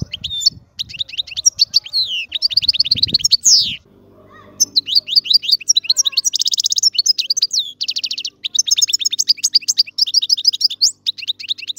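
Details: European goldfinch singing a rapid, liquid twittering song of quick trills, buzzy notes and tinkling chirps. There is a brief pause near four seconds with a faint low hum, then the bright song resumes continuously.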